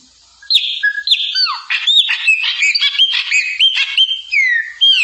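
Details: A chopi blackbird sings a varied, fast sequence of clear whistles, downward slurs and gurgling chattery notes, with bright rising and falling phrases following each other without pause.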